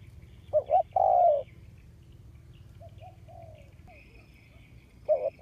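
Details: Spotted dove kept as a ground decoy for luring wild doves, August 2021: one loud short-then-long coo, a fainter softer coo phrase in the middle, and the start of another at the end.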